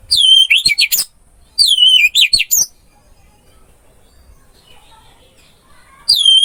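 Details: Orange-headed thrush singing on a masteran training track for a silent bird: loud, high, twisting warbled phrases about a second long, each ending in sharp notes, repeated after short pauses, with an otherwise clean, quiet background.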